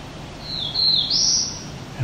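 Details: Black-throated Blue Warbler male singing from a fairly large branch, recorded July 17, 2019 near Lion's Head, Ontario, Canada, in mature woodland: a single high, buzzy, drawn-out note that slides upward at its end, over a low background rumble.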